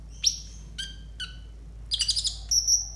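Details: Training song from a konin for tutoring raw konin birds: a rising whistle, two separate sharp chirps, then a quick buzzy rattle ending in a long, bright, high whistle.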